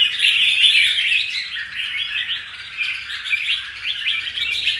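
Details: Caged red-whiskered bulbul from the wild, freshly moulted and showing spirit, sings a loud opening burst of warbling that eases into quicker, softer chirps.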